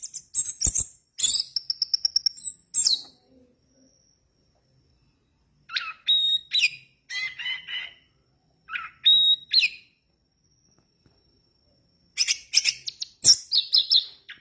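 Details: Orange-headed thrush in full 'gacor dor teler' song: loud bursts of sharp, high whistles and buzzy trills come in separate phrases, each lasting one or two seconds and split by pauses of several seconds. The background is quiet.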